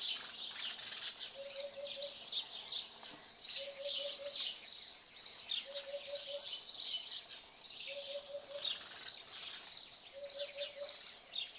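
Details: Eurasian hoopoe at Radiquero, Aragon, Spain, giving soft, low hollow 'oop-oop-oop-oop' phrases of four notes, repeated about every two seconds, over a dense high chirping chorus.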